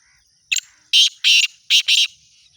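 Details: Black francolin's loud call: a short grating opening note, then two pairs of harsh, rasping, drawn-out notes delivered in a clipped rhythm, with faint high background chirping.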